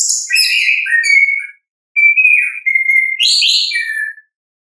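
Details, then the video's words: Orange-headed thrush in natural 'ngeplong' song, used to coax thrushes into singing: rich warbled phrase, a pause, then long level fluty whistles and a rising, then falling flourish; clean recording. "ANIS KEMBANG GACOR, pancingan suara asli alam anis kembang"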